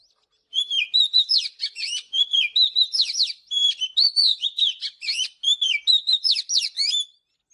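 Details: Oriental magpie-robin singing in the morning, used in song training: a long, continuous stream of bright whistles, sweeping slurs and chattering trills in phrases about a second long.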